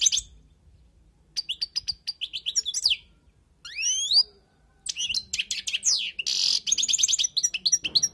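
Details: Wild European goldfinch song used for tutoring: bursts of rapid, liquid twittering broken by short silences, a pair of fast rising slurred whistles midway, and a brief harsh buzzy note late in the phrase.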